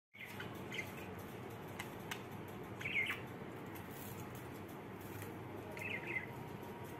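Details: Two pet budgerigars feeling happy give a few short, bright chirps over a steady background hiss.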